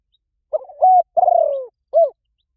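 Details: Spotted dove coo in gáy gọi rút bổi style: a brief wavering start, a held level note, a long vibrating downward coo and a last short rounded note, against silence.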